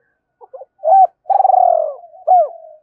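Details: Spotted dove's 'two-ending' call, used to draw a quick response from wild doves: soft introductory notes, a hooked coo, a long vibrating rolled coo and one final bent note. Nothing else is audible.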